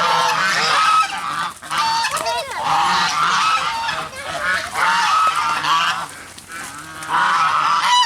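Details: Geese alongside black swans honk in loud grouped bursts roughly every second or two, nasal and grating, with short quieter gaps between bouts.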